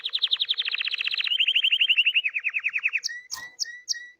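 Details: Hipi canary song: a long rapid rolling trill of bright repeated notes, slightly dropping in pitch partway through, then slower spaced chirps with a couple of sharp clicks.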